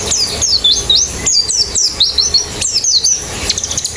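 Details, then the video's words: Several white-eyes in quick, high, overlapping twitters and short downward sweeps, presented as a means of getting a white-eye to sing fast with open beak. "Terapi Pleci Cepat Ngalas Buka Paruh"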